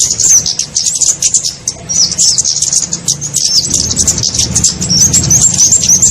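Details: Flowerpecker lure call used to attract small birds for trapping: dense, very high thin chirps and short upswept twitters tumbling rapidly over one another, with a low steady hum underneath.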